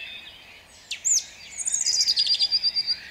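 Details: Brief dawn phrase from a song thrush in Jabłonna, 29 April 2021: a sharp looping whistle followed by a fast, even trill of high repeated notes.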